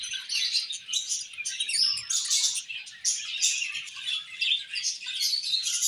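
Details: Budgies at playtime, singing and chirping together: a continuous dense, high chattering warble of rapid twittering notes that rise and fall in loudness without pause.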